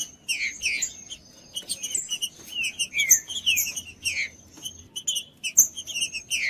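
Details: Green-winged saltator song meant to warm up a cold bird. Short bursts of rich, downslurred whistled notes come in quick clusters, mixed with sharp higher chirps, over a constant thin high-pitched tone.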